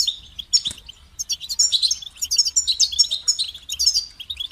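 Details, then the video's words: Goldfinch singing a continuous, rapid chatter of bright tinkling notes and short buzzy trills, getting busier and denser after the first second. "Highlighting motivating songs for creative goldfinches in simple ways"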